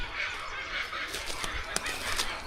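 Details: Kookaburras laughing in Australia, heard outdoors during land survey fieldwork: a dense, raucous chorus of overlapping cackling and chattering notes that runs through the whole stretch, with sharper bursts near the end.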